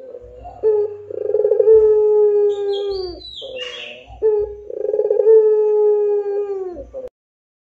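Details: Two long coos from a Barbary dove, each a pulsing roll turning into a drawn steady hum that dips at the end, with a brief higher chirp from another bird between them.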